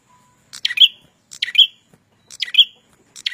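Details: A red-headed prenjak in energetic song gives sharp, ringing chirps roughly every second, each a rapid downward slide finishing in a clear high note, with a brief faint tone at the start.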